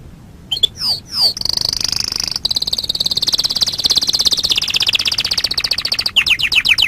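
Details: Canary song used as a master recording for training birds: sharp downward-sweeping notes, then a long fast trill of rapid repeated high notes that shifts pitch midway, ending in more sweeping notes; clean, no other sounds.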